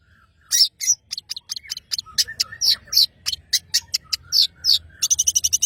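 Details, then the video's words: Energetic singing by a long-tailed shrike from Madura: a rapid run of scratchy, chattering notes of varied pitch that speeds up into a fast, rattling trill at the end. "CENDET Pentet MADURA GACOR"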